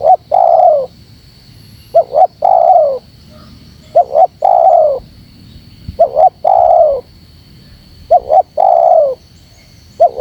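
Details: Spotted dove calling as a lure to gather birds: about five phrases of a short twin note then a drawn-out descending coo, fairly regular, with a faint constant high-pitched hum.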